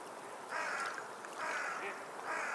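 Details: Seashore sea birds giving a series of three or four harsh, drawn-out cries, repeated at intervals under a second, somewhat softer, over a constant wash of background noise.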